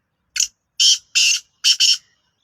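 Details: Black francolin, Sindhi variety, calling: a short harsh note, then two longer grating notes, and a closing double note, all rasping and buzzy against a silent background.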